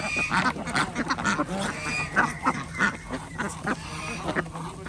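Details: Ducks at a local organic village duck farm in Andhra Pradesh during daily feeding, with chickens and geese also kept. Dense, overlapping harsh quacks from many birds, repeated rapidly and irregularly, with a steady low background hum.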